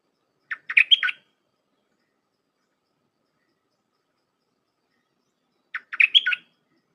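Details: Red-whiskered bulbul with a dense 'dok taeng' style song, used for training hand-reared young birds: two matching short phrases of rapid, slurred, warbled notes, about five seconds apart, with silence between.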